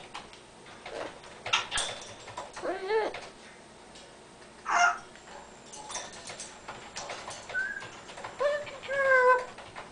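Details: Talkative pet Amazon parrot in a small room while its owner types, giving a series of clicks, short harsh squawks and wavering harmonic calls, ending with a longer stacked, tonal, slightly falling utterance.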